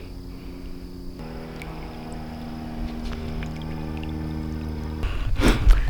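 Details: A steady boat motor hums with layered low tones, then a sharp splash-like burst of noise near the end; no animal calls stand out.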